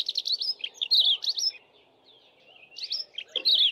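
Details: Streaky-headed seedeater, a member of the canary family, singing a canary-like song: rapid runs of high sweet warbled and twittering notes in two bursts separated by a pause of about a second, with faint low background rumble.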